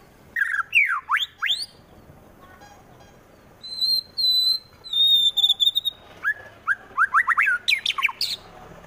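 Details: Aggressive song of a captive white-rumped shama, Wonosobo, Central Java, used to make rival birds fight: loud sweeping whistles, then high level piping notes, then a rapid string of rising whistled slurs.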